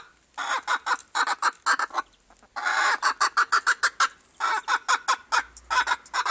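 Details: Silver Appenzeller chicken making noise, loud rapid clucks in bursts of about six to eight, separated by short drawn squawks, several bursts across the recording.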